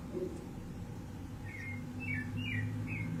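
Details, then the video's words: Free-living rufous-bellied thrush in natural surroundings, 15 November 2020: after a second and a half of low rumbling background, four or five short fluty whistled notes follow one another quickly. "sabiá laranjeira solta na natureza"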